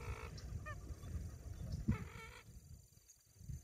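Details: A little blue heron calls while flying at Orlando Wetlands, Christmas, Florida, giving two hoarse, nasal croaks about two seconds apart over a steady low rumble of wind.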